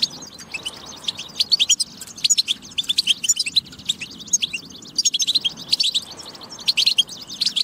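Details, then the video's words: European goldfinch singing, used to prompt goldfinches into song: quick bursts of high liquid twitters and chirps, some brief buzzy phrases, in a run of several phrases separated by short quieter gaps. "بتبة فتاكة لتحفيز الحسون على التغريد والجهوزية"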